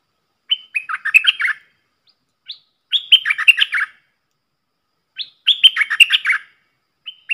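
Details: Red-whiskered bulbul, a caged decoy bird, singing for young birds to copy and to lure wild birds; short rich bursts of quick warbled whistled notes, about three phrases with brief pauses, clean background.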